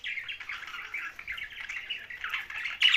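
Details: A young budgerigar from Larkana, Sindh, keeps up a fast, continuous warbling chatter of squeaky chirps, ending in a sharper, louder squawk.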